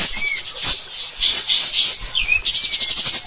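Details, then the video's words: Pied triller from a training recording for other cage birds, in its rough, persistent song: high hissing chatter with a short whistle, rising squeaky notes, then a quick downslur and fast trilling. "KAPAS TEMBAK EDAN GACOR | MBESET NEMBAK NGOTOT Kasar"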